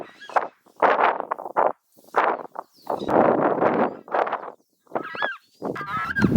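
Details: Southern screamer calling: loud, harsh, broadband honking bursts in uneven runs of short and longer notes, with thin rising whistled notes near the end.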